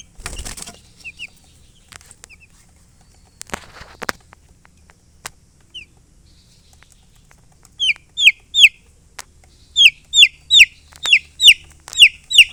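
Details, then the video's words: Chicks calling: sparse soft clicks and a few faint peeps at first, then a loud run of high, sharply falling chirps repeated about every half second through the final five seconds. "MURGI Baby "Chicks Chirping" Sound"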